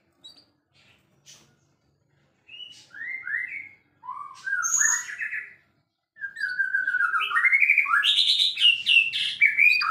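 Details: White-rumped shama, a champion murai in full song: scattered soft notes, then loud whistled phrases and slurs building into a long continuous rich warbling run.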